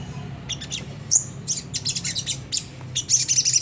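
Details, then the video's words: Sunda whistling thrush singing a coarse ngriwik song meant to provoke caged birds: dense high chattering notes in short bursts with a brief thin whistle, a low background hum beneath. "pancingan jernih suara sogon ngriwik kasar nembak gacor"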